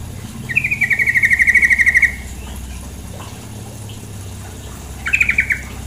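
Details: Female sooty-headed bulbul calling over running water: a fast pulsed chattering trill held level for about one and a half seconds, then a shorter trill burst near the end, with a low steady hum of flowing water beneath.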